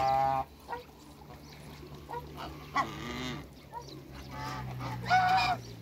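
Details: Backyard pair of African geese kept with other waterbirds: a few scattered nasal honks, at the start, middle and end, over a steady low hum and quiet background.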